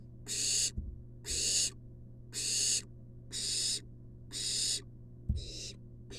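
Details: In a monitored nest box, a wild barn owl chick has a long-tailed rat delivered by its mother. Loud rasping hisses come about once a second, six in a row, over a steady electrical hum with occasional knocks.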